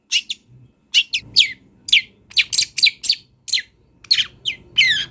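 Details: Long-tailed shrike, wild, sings actively with imitated fill-in phrases: sharp downslurred chirps and scratchy notes repeated about twice a second, with faint low background noise.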